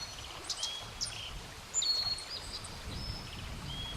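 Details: Black-faced bunting, a few high thin whistled notes and short chips at irregular intervals, one longer level whistle in the middle, against a rumbling low background noise.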